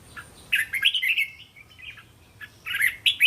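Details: Red-whiskered bulbul competition-style song used to train young birds: a flowing phrase of quick warbled, slurred notes, a short pause, then another loud bright phrase beginning, with faint background hum.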